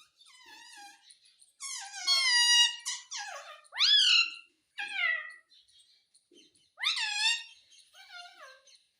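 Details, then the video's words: Pet parrot talking indoors, asking its mummy for roti: a string of bright, harmonic, squawky word-like phrases, some sliding up then down, in bursts with short silent gaps. "मम्मी मिट्ठू को रोटी दो _ Parrot Talking Everything _ मिट्ठू की प्यारी बातें"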